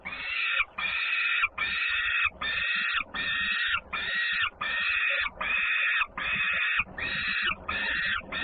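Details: Noisy return of a young peregrine falcon sister during feeding in Włocławek, Poland, 3 June 2010; a steady series of about ten rasping, strained screams, each roughly half a second, separated by brief gaps.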